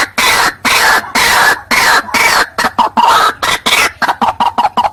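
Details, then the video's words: White-breasted waterhen lure recording, used to call males and females in: loud, harsh, coughing bursts. Early bursts are long and broad, then they speed up into short, clipped notes toward the end. "Suara Pemikat Burung Ruak-Ruak"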